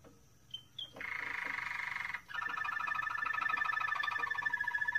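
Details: Song of a Moroccan Malinois canary: two short whistled notes, then a dense buzzy roll held for about a second, a brief pause, and a long rapid rattling trill that continues to the end.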